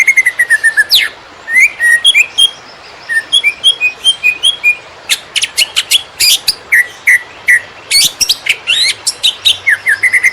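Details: Greater green leafbird singing in the konslet style, used as a master recording to train other birds: slurred whistled notes sliding between mid and high pitch, broken by bursts of rapid, sharp high chattering clicks in dense runs.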